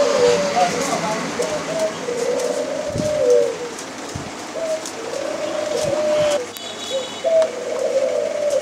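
A white dove gives low, soft rolling coos in long drawn-out phrases, one after another, with faint traffic noise behind.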